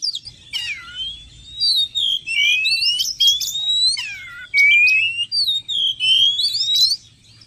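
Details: Lure sound of an Oriental magpie-robin meant to attract wild birds closer: long clear rising whistles, each sweeping upward, interspersed with scratchy buzzy notes and brief pauses, loud and continuous throughout.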